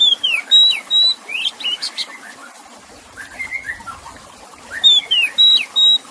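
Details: Oriental magpie-robin singing over a water background: crisp whistles and falling slurs in a quick phrase, softer lower warbling in the middle, then the whistled phrase returns.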